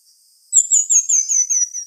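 Pin-tailed manakin: a thin, very high ringing whistle with a quick run of about eight downslurred notes, each a little lower, over just over a second.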